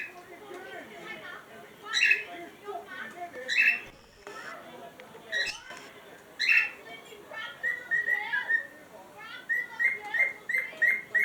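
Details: Cockatiels playing in a box give bright, chirping calls and short whistled notes in quick bursts.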